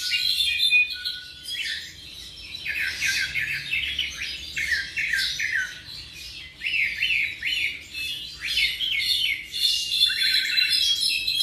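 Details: Young tropical mockingbird, around seven months of age, delivering bursts of rapid, repeated downslurred notes in quick series, with whistles and squeaky chirps between the runs, over a faint low background hum.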